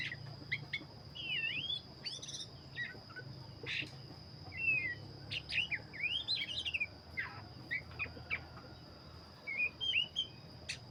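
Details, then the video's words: Black-breasted Oriental magpie-robin in vigorous song, with scattered clusters of looping whistles, upswept notes and sharp chips separated by short pauses, against a steady high-pitched tone and a low hum. "burung Kacer dada hitam gacor"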